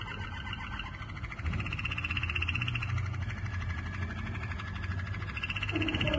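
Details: A yellow Waterslager canary sings low, rapid rolling and bubbling trills, a steady liquid churr, over a heavy low rumble of background noise.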